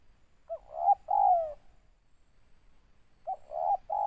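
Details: Two cooing phrases from a deep-voiced spotted dove with an end note: a short lifted coo, a long falling coo, then after a pause a short coo and two steady longer coos; otherwise quiet.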